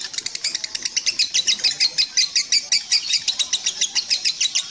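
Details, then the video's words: Lovebird song of harsh, high chirps repeated a little more than once a second, over a faint background hiss. "3 LOVE BIRD THE SPECIAL ONE,DURASI 1,3,7 DETIK"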